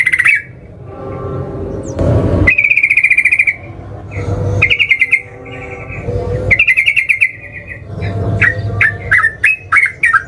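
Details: Sooty-headed bulbul singing aggressively to draw a response from rivals, in scattered bursts: short trilled phrases and sustained buzzy whistles broken by pauses, ending in a series of quick chirpy notes.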